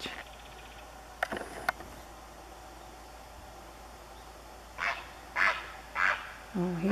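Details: A Great Blue Heron on a lake dock in the early evening of October 6, on an overcast, cool day, gives four harsh, hoarse squawks roughly every half second, preceded by faint clicks, possibly before taking off; a man's voice follows.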